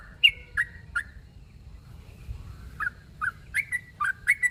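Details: Sooty-headed bulbul calling a rival: three short bubbly notes dropping in pitch, a pause of over a second, then six more quick chirps in a burst near the end, over faint low hum.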